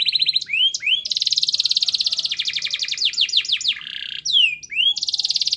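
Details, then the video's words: Singing canary, played to prompt silent canaries to join in: short rising slurs lead into a loud rapid trill, then sweeping downward notes, a harsher buzzy phrase and more quick high trills. "Suara Kenari Gacor Yang Malas Bunyi Awas Kaget Ikut Bunyi || Pancingan Kenari Agar Bunyi"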